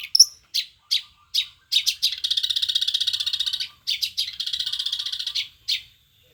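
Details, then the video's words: Long-tailed shrike (cendet) from Banyuwangi giving short, harsh clipped notes, then two long buzzy, rattling trills of fast pulses, each lasting over a second and separated by a few scratchy single notes. "Burung cendet banyuwangi memang mantap."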